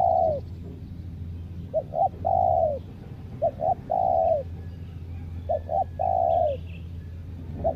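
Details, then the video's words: Spotted dove kept as a decoy for wild birds, singing repeated phrases of two short coos and a drawn-out falling coo, with a steady low hum and brief high chirps of another bird. "PIKAT TEKUKUR SI COBRA M3NDIDIH"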